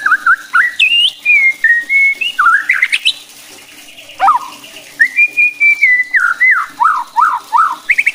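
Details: White-rumped shama singing to provoke rival shamas: varied whistled phrases with sustained notes, sharp upward sweeps and a low dip, ending in a fast series of descending slurred notes.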